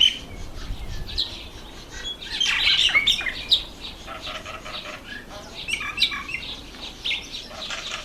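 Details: Red bishop at breeding time, October to November, in reeds over water: a busy mix of overlapping high chirps and buzzy twitters from several birds, with brief wing flutters.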